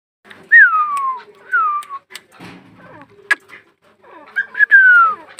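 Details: Female grey francolin heard in the setting of dakhini teetar fighting: clear whistled notes that slide downward, given in a short series, with a final pair of sharper rising-then-falling whistles and some knocking and handling sounds between them.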